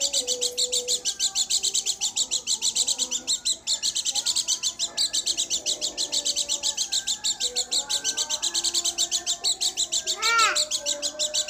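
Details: Steady fast chirping from a pleci dakun garut white-eye, high notes pulsing several times a second, with quiet lower whistles and a brief louder swooping sound near the end.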